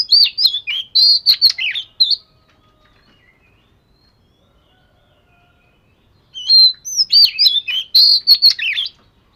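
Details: Oriental magpie-robin, scaly-patterned type, singing in two bursts about four seconds apart, each a rapid jumble of whistled, twisting and scratchy notes, with silence between.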